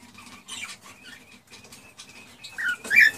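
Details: Male cockatiel (Nymphicus hollandicus) giving excited courtship song meant to stimulate a female to mate and breed: soft scratchy chatter ending in two loud, bright whistled chirps over a low steady hum.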